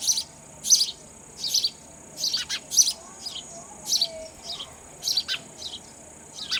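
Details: Nestling sparrows calling as a parent bird brings raw insects; sharp high chirps arriving irregularly, several clustered together, with a few lower clicks and continuous faint hiss.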